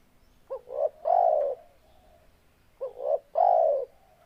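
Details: Spotted dove cooing: two phrases, each a short low double note followed by a longer, louder, slightly falling coo around the mid-low range, separated by about two seconds of quiet.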